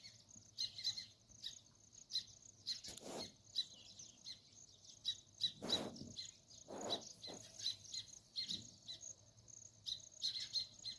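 Sparrows chirping in a busy flock, short high chirps overlapping with a steady high hiss of insects and a few low thumps.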